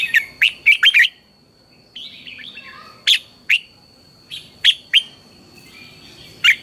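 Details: Red-whiskered bulbul's intense morning song, kept as a training lure for other bulbuls: rapid clusters of sharp, whistled chirps, then spaced single loud notes every half-second or so, with soft warbles between, over a steady high whine.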